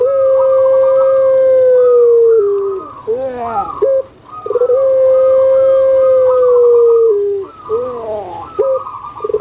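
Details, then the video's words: Puter pelung collared dove, a caged bird kept on Java, Indonesia, singing its melodious, stable coo twice: a long sustained tone that drops at the end, followed by throaty, wavering, rolling notes. "PUTER PELUNG SUARA MERDU STABIL"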